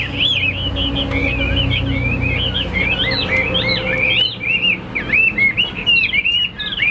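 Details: Caged Chinese hwamei from Vietnam, a fighting bird with wing-fanning display and high stance. It sings a rapid, unbroken warble of curling whistled notes, with faint clicks and a low background rumble.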